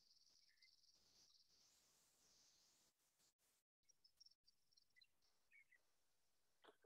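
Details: Chipping Sparrow song, which resembles a junco's but usually runs longer: a dry, rapid, insect-like trill held on one high pitch for about three seconds, followed by a few scattered high chips.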